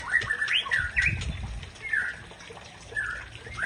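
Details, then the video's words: White-rumped shama, known locally as Murai Aceh, singing to provoke a rival: short rising and falling whistled phrases in separate bursts, with gaps between them and a low rumble of background noise. "Murai Aceh Pancing Emosi Lawan"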